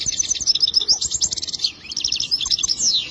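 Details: Goldfinch song, a fast, dense run of high tinkling, twittering notes that pours out almost without a break, pauses briefly, then resumes in a jangling rush.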